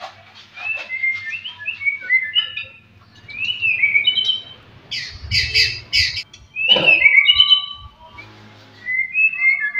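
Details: White-rumped shama (murai batu) song meant to provoke rival birds: soft whistled notes sliding up and down, broken by loud harsh chattering bursts midway, with low background hum.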